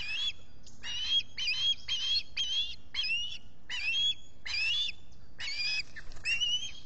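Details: Osprey squawking at the nest in the Finger Lakes, US, on a July 2021 morning while its mate preens: about eleven high, piercing, slurred notes in an uneven series.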